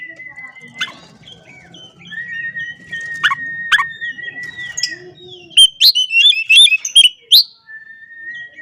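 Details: Oriental magpie-robin song to provoke rival birds. Long, level whistles are broken by sharp clicks, then a loud, rapid burst of high, twittering chirps, followed by one more drawn-out whistle.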